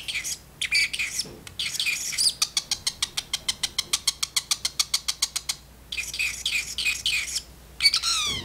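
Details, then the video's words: A pet talking parrotlet in its cage chatters back and forth with its owner in the kitchen: harsh, buzzy notes, a fast run of about twenty clicking chirps, more chatter, and a falling whistle at the end. "talking parrotlet"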